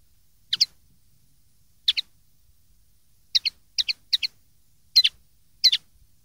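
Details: Linnet song meant for young birds to copy: sharp doubled chirps, high and twangy, given singly then in a faster run of closely spaced pairs, clean background.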